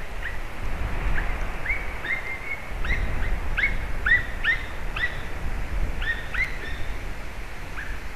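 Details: White-tailed eagles (Haliaeetus albicilla) at Durbe giving short, high yelping notes, some slurred upward, in loose uneven runs, over a steady low rumble of wind or distant traffic.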